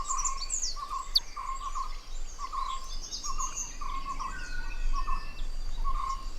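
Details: Oriental dwarf kingfishers, or possibly blue-eared kingfishers, in drought season: parents and four newly fledged chicks exchange thin, high, shrill contact whistles to keep track of each other, while a lower chirp repeats about twice a second over a low hum.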